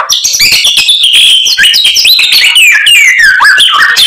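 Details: Rich white-rumped shama song full of isian: high sustained whistles, fast trills and descending slurs woven into a continuous, lively stream.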